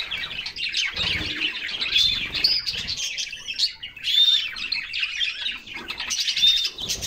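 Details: Canaries bathing in summer keep up a lively chorus of high chirps, rolling trills and pure whistled notes, with soft splashing or fluttering sounds low underneath.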